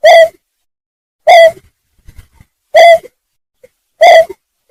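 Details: Greater painted-snipe call used as a lure for trapping: four short, hollow hooting notes, each loud and even-pitched with a rich buzzy overtone, spaced about 1.3 seconds apart, with silence between.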